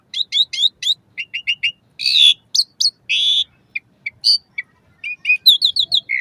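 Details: Asian pied starling song for prompting caged starlings, played morning and evening: bright repeated squeaky chirps, harsh rasping bursts, and a closing rapid series of high whistled notes.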